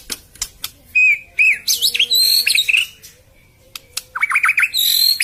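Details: White-rumped shama song meant to coax a silent bird after moult: clear whistles, a rich rapid warbled run of mixed high notes, a pause, then a fast zigzagging phrase and high chatter.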